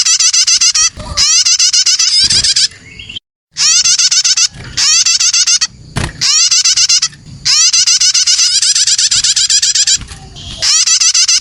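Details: Lure recording of young prinias: repeated bursts of quick, harsh, buzzy chirping, each one to two seconds long, broken by short silences and faint low rumbling.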